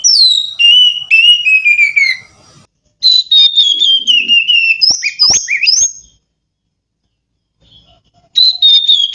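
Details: Oriental magpie-robin singing pure whistled phrases that glide down in pitch, broken by a few sharp clicks, then a pause before another descending whistle begins.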